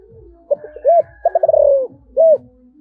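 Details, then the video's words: Spotted dove with a giọng thổ voice in one calling phrase: two quick soft notes, a swelling coo, a rapid pulsing roll easing downward, and a closing rounded coo, over low rhythmic background thumps. "cu gáy giọng thổ gáy gọi"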